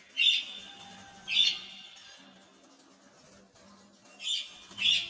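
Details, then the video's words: Lovebird calls: four loud, shrill squawks, two near the start and two near the end, each brief and harsh, with faint low tones in the background. "Love birds"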